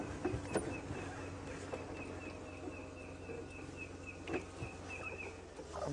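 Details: A Red-crested Korhaan, a hard-to-spot ground bird, gives a steady run of short, sharp, evenly spaced high ticking notes on a late-afternoon safari drive on 29 June 2016, over a low vehicle engine rumble.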